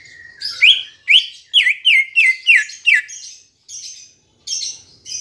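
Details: Green leafbird song played as a lure to make birds sing: a run of loud, sharp whistled notes sliding down, about eight in quick succession, then softer high buzzy phrases.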